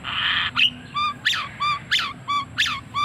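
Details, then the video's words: White-rumped shama with a strange vocal pattern: a raspy buzzy burst, then alternating sharp downslurred notes and clear ringing whistles, roughly one pair every two-thirds of a second, over a low hum. "Murai Batu Suara Aneh"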